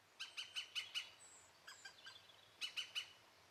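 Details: European green woodpecker laughing call: five bright, harsh notes in quick even succession, softer scattered notes and a thin high whistle, then three more loud notes.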